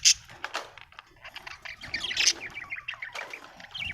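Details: Contented budgerigar warbling nonstop, a rapid chattering stream of mixed high chirps, clicks and slurred whistled notes packed closely together, with two sharp bright accents near the start and middle.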